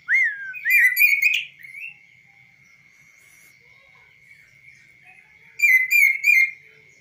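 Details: Kaso-kaso bird, tame and trained, perched on a hand with no cage, sings a clear, varied phrase of rising and buzzy whistled notes, falls silent for several seconds, then repeats a three-note buzzy burst, with a constant faint hum behind.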